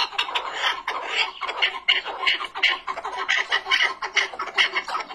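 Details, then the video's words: Rapid chattering chukar partridge calls, rough clucks in quick pulsing groups about three or four per second, steady and loud throughout. "keklik sesi"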